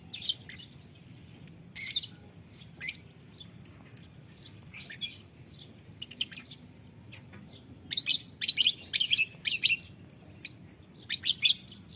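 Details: Young pet lovebird singing in the 'ngekek panjang' long-chatter style, recorded as master audio for tutoring birds: scattered sharp high chirps, then a dense run of rapid shrill notes near the end, over quiet low hum.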